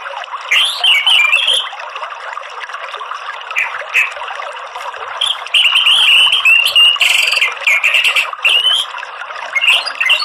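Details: An orange-headed thrush gives loud morning song in the 'ngeplong' style: bursts of rich, warbled whistles and slurred notes, with brief gaps between phrases and a continuous hiss beneath.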